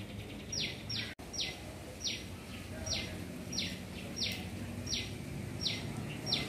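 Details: Shikra, a small bird of prey, in a garden while looking for prey; sharp, high notes that drop quickly in pitch, repeated about every half second in a steady series over a low background hum.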